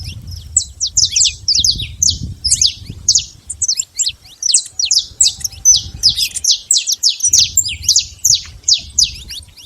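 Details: Wild saffron finch pouring out a long sequence of quick, high, downslurred chirps with short pauses, a faint low rumble behind.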